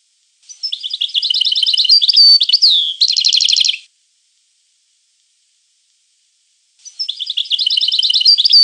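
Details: Two European goldfinch song bursts split by a few seconds of silence. The first mixes quick twitters, a long whistle and a buzzy, rattling trill of repeated notes, and the second begins with similar twittering.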